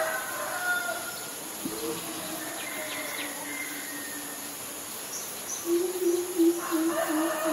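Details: Greater Coucal, a very common resident, recorded at Ubon Ratchathani, Thailand, on May 22, 2022, with a Nikon P1000. A low, resonant series of deep hooted notes comes near the end, after a long low tone and faint higher bird calls.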